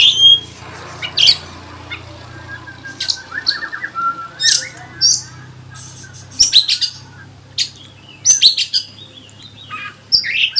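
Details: Oriental magpie-robin, 'konslet' style song that rouses other birds: scattered sharp high chirps and clicks separated by pauses, with a brief buzzy trill early on, over a constant low hum.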